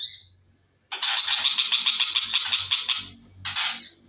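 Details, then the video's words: {'caption': 'Long-tailed shrike: a high thin whistle, then a dense burst of harsh, rapidly repeated grating notes, followed by another whistle and a short rasp.'} "Cendet Macan Viral"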